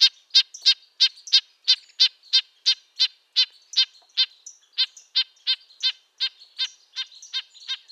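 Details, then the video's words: Rapid run of nasal, toy-horn notes from a red-breasted nuthatch, close to three per second and fairly even through the whole stretch. "Red-breasted nuthatch sounds, Sounds of the Canadian Nuthatch"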